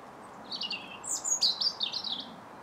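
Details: Pair of European goldfinches lingering at a feeder, eating nyjer seed in Southern England in January 2021; a bright, quick run of high twittering chirps and liquid notes over a soft, steady background hum.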